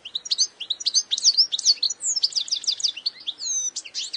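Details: A European goldfinch (Carduelis carduelis) calls in a rapid, tinkling run of high twittering notes and liquid trills, bright and jumbled, with nothing else heard.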